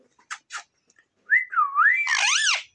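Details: Pet talking parrot at home: two brief noisy bursts followed by a clear whistled note that dips and climbs, then a loud, buzzy, harmonic-rich squawk that bends down at the end.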